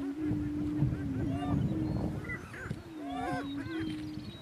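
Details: On a northeast Kansas lek, two male greater prairie chickens fight for dominance; a continuous low droning moan underlies bursts of sharp up-and-down cackling notes, busiest near the middle and end.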